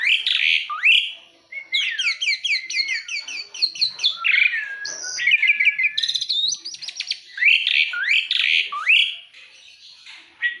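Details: Jalak uret (starling) in energetic song, rapid runs of sharp descending chirps, mixed whistles and buzzy notes, a stuttering rattle, then rising swoops before fading.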